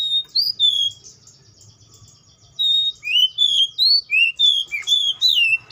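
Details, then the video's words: Atlantic canary giving a few sweet slurred whistles, falling silent for nearly two seconds, then resuming with a lively series of rising and falling whistled notes. "THE SOUND OF THE CANARIA SERINUS ORIGINAL SOUND LIKE IN THE WILD"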